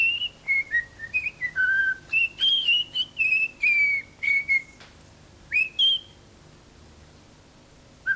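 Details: Young tame common starling in Corsica, 1989, whistling La Marseillaise: a run of clear pure whistled notes stepping up and down like a tune, several short phrases, then a pause before one more note; quiet room.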